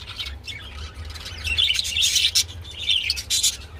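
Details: Mating budgerigars chatter in a dense, continuous warble of squeaky, twittering notes that swell in the middle, with a faint low background hum.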